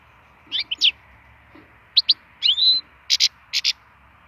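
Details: Wild European goldfinch giving varied high notes: slurred rising and falling whistles, a brief trill-like phrase, then two paired harsher, buzzy double notes near the end. Quiet background.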